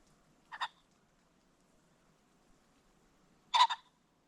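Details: At sunset along a creek bottom, a ring-necked pheasant gives two harsh, clipped calls about three seconds apart, the second a louder stuttering double note, in a quiet setting.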